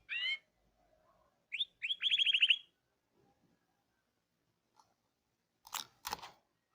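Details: A Hipi canary gives a few bright whistled notes and then a quick, rattling trill of about a dozen rapid notes, followed by a couple of dry clicks or knocks.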